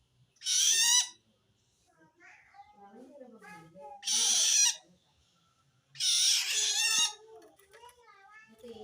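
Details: Long-tailed shrike giving a strange call toward wild shrikes, a sign of feeling threatened by another shrike: three loud, harsh, rasping bursts about two and a half seconds apart, with soft lower chatter between them.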